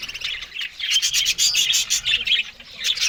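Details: Australian budgies eating green food in the morning give a rapid run of sharp, bright chirps and warbled notes, closely spaced and overlapping, briefly easing before resuming.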